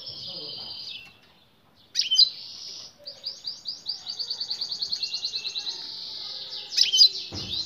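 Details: Goldfinch male singing after the female's mating call; a long buzzy note, a sharp twitter, then a fast regular trill of repeated notes ending in bright chirps.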